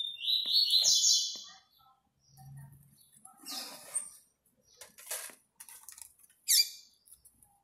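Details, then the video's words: Fawn (fulvo) double-collared seedeater, a captive-bred bird, giving a loud burst of high, buzzy, descending trilled notes in the first second and a half, followed by scattered faint chirps, clicks and a low hum in a quiet room. "COLEIRO FULVO"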